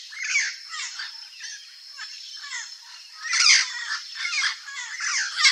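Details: A wild Turquoise-fronted amazon (Amazona aestiva) in natural habitat in Brazil gives harsh, raspy squawks and chattering notes in irregular bursts, louder toward the end, over a steady high hiss.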